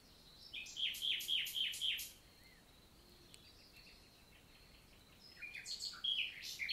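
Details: Nightingale singing in summer daytime forest, Célé valley, Lot, France: a burst of five loud repeated chopped notes, a quiet pause with faint distant birds, then another rising phrase of clipped notes.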